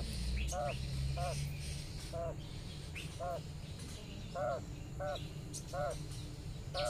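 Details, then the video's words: A hen quail calls her dozen young chicks to follow while they graze in the sun; short rounded double-toned notes repeat at uneven intervals of roughly half a second to a second, with low background noise. "Mother quail calling to her cute baby chicks, some are left! - quail sound"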